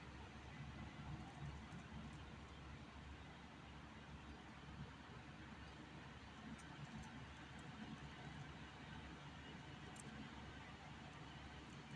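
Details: Steady low traffic rumble from passing vehicles, with no bird or other animal voice heard.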